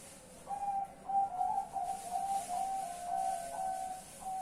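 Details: A zebra dove calls at night, 10 March 2021, with a continuous chain of bright, whistled coo notes, each short and level, repeated roughly twice a second against faint hiss.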